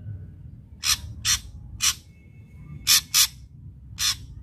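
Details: Ashy drongo kept as a cage bird, its song used as a training lure for new drongos: six loud harsh, hissing bursts spaced irregularly about half a second to a second apart.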